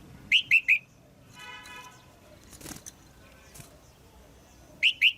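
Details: Female red-whiskered bulbul kept as a cage bird, calling to stimulate a male or for pairing: a quick run of three bright, chirpy whistled notes, a quiet gap with faint rustling, then two more sharp chirps at the end.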